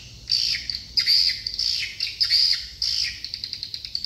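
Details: Swiftlet chorus recorded in Dương Tơ commune on Phú Quốc, Vietnam: bursts of shrill, high twittering chirps in clusters about half a second long, separated by short pauses, with rapid trailing clicks near the end.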